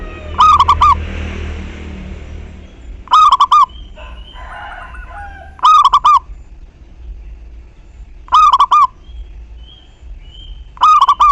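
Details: Lure song of a local zebra dove, meant to set other doves singing. Five strong phrases of three to four rolling coos, repeated roughly every two and a half seconds over faint background noise.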